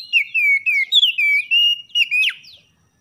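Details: Oriental magpie-robin singing in the morning to encourage idle birds to sing: a quick string of sweet, sliding whistles, each dropping in pitch, ending with a sharp upward flick.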